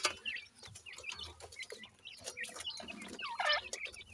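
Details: Captive Grey francolin chicks while the female feeds them insects: a run of brief, high chirps and squeaky notes, some sliding downward, over scattered clicks and tapping, with a stronger squeal near the end.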